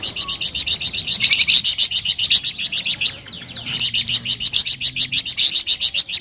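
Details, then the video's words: Flamboyan bird in lively, melodious song: fast strings of high, sharp chirped notes, about three to four per second, in long bursts with a brief pause near the middle. "SUARA MERDU DAN GACOR BURUNG FLAMBOYAN"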